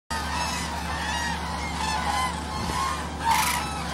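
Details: A large flock of common cranes wintering at Agamon Hula, Hula Valley, Israel, in January, gives a dense chorus of loud, rolling trumpeted calls as a tractor spreads maize for them, over the engine's steady low drone.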